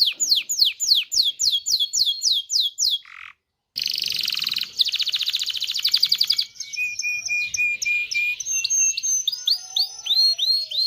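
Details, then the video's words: Canary song meant to stir males and females toward mating: a series of falling sweeps, a short break, then rapid buzzy trills, a held whistle and scattered chirping phrases. "تغريد كناري لتدريب ذكور واناث الكناري على التزاوج. صوت كناري لتزوج .. Canary singing"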